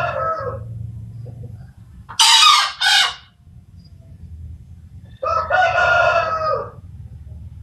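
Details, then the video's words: A green junglefowl gives a brief, hoarse, screechy two-part crow, and a nearby domestic Bangkok rooster spontaneously answers with a longer, fuller cock-a-doodle crow, as if in a crowing contest. "Suara ayam hutan hijau berkokok"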